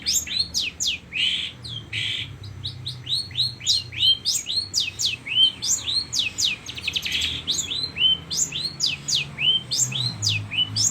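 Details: Long-tailed shrike singing strongly, imitating lovebird calls: quick high chirps and shrill squeaky notes repeated rapidly and unevenly, with a low rumbling hum beneath.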